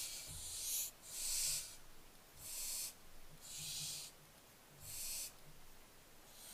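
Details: Barn owlets recorded on 15 July 2024: six harsh, breathy hissing bursts, each lasting about half a second and coming roughly once a second, with a faint low rumble underneath.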